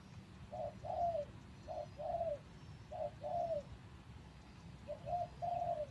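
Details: Caged decoy spotted dove used for luring wild doves, taken from its breeding cage only three days earlier and not yet fully fit, cooing in three phrases, each a short note followed by a longer falling coo, over steady low background hiss.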